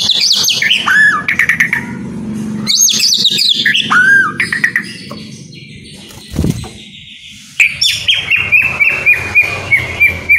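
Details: White-rumped shama song aimed at making idle caged birds sing freely: varied loud whistles, descending slurs and rapid chirping runs, a quieter steady passage with a thump, then repeated sharp notes about four per second.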